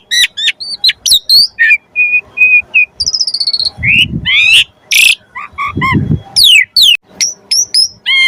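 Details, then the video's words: Asian pied starling singing a full, varied lure song meant to prompt other starlings to sing: mixed whistled notes, sharp chips, rising and falling slurs and buzzy bursts, with two low thumps mid-phrase. "Jalak Suren Gacor Full Isian Pancingan Burung Jalak Agar Cepat Gacor"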